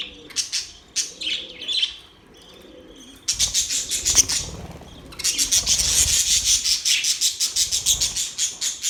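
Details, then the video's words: Budgerigars singing: a dense, fast stream of high, scratchy chirps and warbles after a few separate opening notes. The chatter grows louder and more continuous toward the end. "Budgies sounds | Budgies singing | Budgies chirping sounds"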